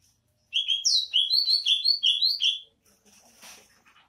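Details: Greater green leafbird of the Banyuwangi type, with its characteristic "bebeci" voice: a quick run of about ten high, sharp chirped notes in roughly two seconds, some slurred upward, followed by faint rustling noise.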